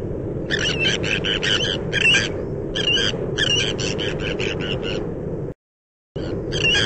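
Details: Many Sandwich terns call at their breeding colony on the bird island Texel, in fast strings of harsh, creaky notes, roughly four or five per second, over a steady rushing wind or surf noise.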